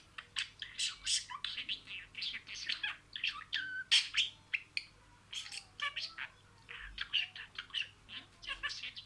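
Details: Budgerigar talking, imitating words in sequence: a dense run of short scratchy chirps and warbled bursts, some with clear stacked tones, delivered in quick irregular succession with brief pauses.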